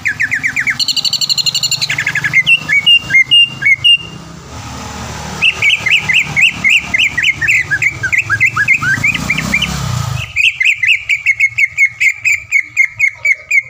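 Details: Contest-winning caged greater green leafbird from the Palembang area of Indonesia pours out a long, varied sharp and dense song: whistles, rattling chip series, a run of rising slurred notes, then rapid steady repeated chips, with hum and noise behind.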